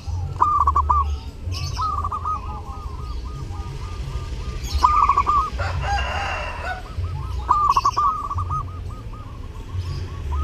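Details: Zebra dove in lively song during Eid, used as a tutor: repeated bursts of fast staccato cooing, each phrase rolling into a trailing series, with a low hum and a brief rustling noise midway.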